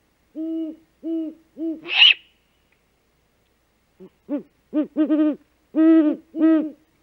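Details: Three low hoots, a rough screech, then a quickening burst of about eight deep hoots from a great horned owl, the female back on the nest at 5:41 am on 3 March 2018, food-calling while the male hunts.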